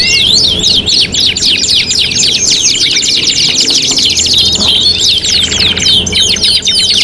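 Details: Competition tutoring song of a canary: fast, sharp chirping trills repeated several times each second, in bright rolling phrases with brief changes of tempo, carrying on without a break.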